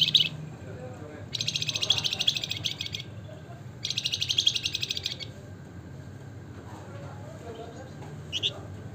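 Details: Javan fulvetta (Alcippe pyrrhoptera), locally wergan jawa or flamboyan, singing in the busy ngebren style: two dense, buzzy high rattling trills of about one and a half seconds each, plus a brief chirp at either end, over a low steady hum.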